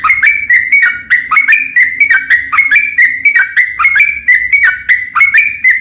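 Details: Sooty-headed bulbul in long rapid song intended to get other bulbuls singing back: quick ringing whistles rising and falling, tightly repeated with a faint steady hum beneath.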